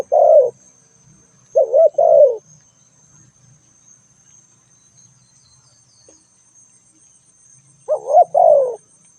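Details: Three widely spaced coo phrases from a spotted dove, each a short note and a longer descending coo, with long quiet gaps, faint low rustling and a thin persistent whine.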